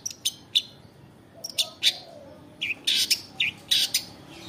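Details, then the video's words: In the afternoon a long-tailed shrike sings vigorously, mixing sharp high chirps with short scratchy, buzzy notes and quick down-curving whistles in closely spaced bursts. "CENDET GACOR DI SORE HARI"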